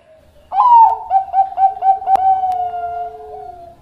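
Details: Zebra dove of the Bangkok perkutut type, a master recording for tutoring other doves: after a faint opening note, a loud warbled coo of rapid pulsed notes runs into a long, steady, slowly fading whistle-like tone.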